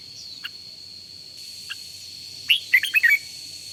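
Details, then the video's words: Red-whiskered bulbul during morning song training: a few faint single notes, then one loud quick phrase of slurred whistles near the end, over background hiss and a steady high tone. "luyện giọng chào mào hót buổi sáng"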